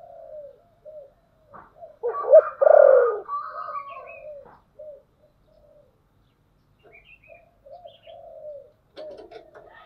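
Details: Spotted dove kept as a lure bird to provoke wild doves, in the 'thổ sấm' voice style: low hoarse coos in short phrases. A loud, rough burst comes near the middle, then quieter coos resume after a pause.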